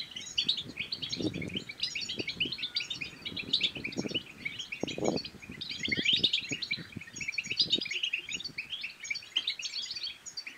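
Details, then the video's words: European goldfinch song used to stir other goldfinches to sing and to mate: dense, rapid, tinkling twitters and chirps flowing continuously, with intermittent low thumps and knocks in the background. "بتبتات الحسون بتبتة تنطق اي حسون كان صامت سيغرد"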